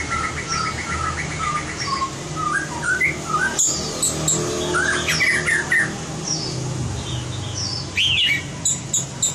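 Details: White-rumped shama in song training for competition: a varied run of short whistled notes rising and falling, then sharp clicks and a loud upswept whistle, with low hum throughout.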